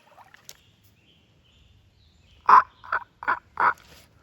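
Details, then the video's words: A wild turkey near a small creek gobbles once, a quick rattling burst of four throaty notes over about a second, after a quiet stretch with faint outdoor background. "Did you guys hear that? Turkey's gobbling."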